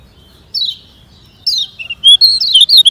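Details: Lemon-bellied white-eye (kecial kuning, Lombok) in training song for slow birds: two spaced falling whistles followed by a quickening series of high, pure, slurred notes.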